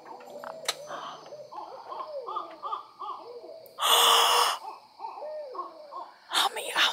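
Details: Several owls calling excitedly together, heard by two people; a chorus of short hooting notes around 500 to 1,000, rising and falling in quick overlapping bursts, interrupted by loud rustling noise and a sharp click.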